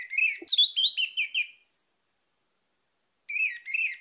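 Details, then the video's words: Orange-headed thrush song meant to lure other birds into singing: rapid, rich whistled notes sliding downward, one phrase of about eight notes, a long silence, then a fresh phrase begins. "PANCINGAN ANIS MERAH CEPAT GACOR"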